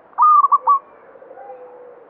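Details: Local zebra dove in banyumili song style: one loud, quick phrase of three or four clipped cooing notes, followed by faint lower cooing.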